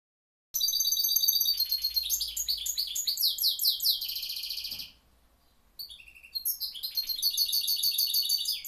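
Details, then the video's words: A goldfinch hybrid sings a fast, high, tinkling stream of twitters and trills, broken by a brief pause, then resumes just as busily. "Mixto de jilguero"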